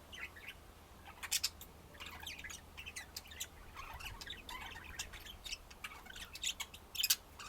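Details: A dense mix of budgerigar twitters and harsh squawks from several birds, overlapping continuously, with a louder burst near the end.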